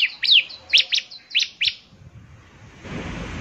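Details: Bar-winged prinia, an actively singing bird: a short burst of sharp high chirps and slurred downward notes, about five in under two seconds, then quiet low rustling.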